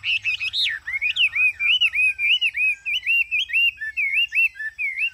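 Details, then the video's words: Caged Chinese hwamei singing open-beaked on a hot day, a rich continuous run of loud whistled phrases looping up and down in rapid, varied notes, about three per second. "Hoạt Hoạt Mi"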